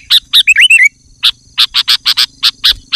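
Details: Male sooty-headed bulbul summoning a rival in the afternoon: a few chirps and a quick wavering liquid phrase, a pause, then a regular run of about ten loud clipped chirps, over a faint steady high tone.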